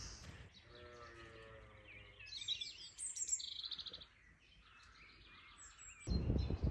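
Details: A European robin (Erithacus rubecula) sings a few thin, high, tumbling warbled phrases after brief speech, with wind roaring and gusting in the trees. Recorded on a Peak District farm in Derbyshire around 25 March 2023, in cold, windy, rainy weather.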